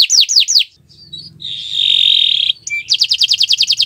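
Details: Canary on a Friday morning giving a few sweeping downslurred notes, soft chirps and a long buzzy churr, then a rapid trill, over a low background hum.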